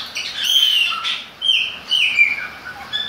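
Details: Chopi blackbird singing in the rain: clear, liquid whistled phrases, some slurred and rising, others falling, in quick bursts about every half second, with a light hiss behind.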